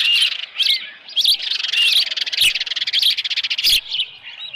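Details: Osprey calling at its nest, Dunrovin Ranch, 24 July 2018, early morning with a headless fish. Piercing chirps alternate with a rapid stuttering chatter in the middle, and a wing flutter is heard.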